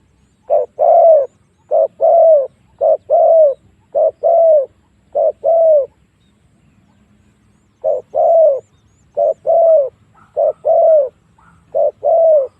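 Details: A spotted dove coos as a decoy to lure wild doves into fighting: steady short-long coo pairs in two bursts separated by a quiet gap of about two seconds.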